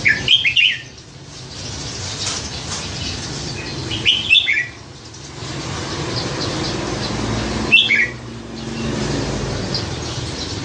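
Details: Caged red-whiskered bulbul, caught by hand as a weak youngster beside a canal and kept for nine months, prized for its many varied songs; three short liquid whistled phrases, each rising then falling, spaced about four seconds apart over steady background hiss.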